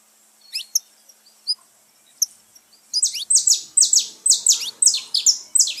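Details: Saffron finch song played to stimulate pet birds: after sparse high chirps, a fast run of loud, sharp descending notes repeated about three times per second.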